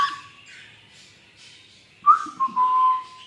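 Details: Cockatiel (Nymphicus hollandicus), song.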